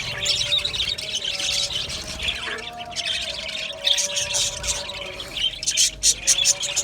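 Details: Australian budgies in an aviary colony chatter nonstop, a dense wash of high squeaky chirps and warbles, with a faint steady low hum beneath.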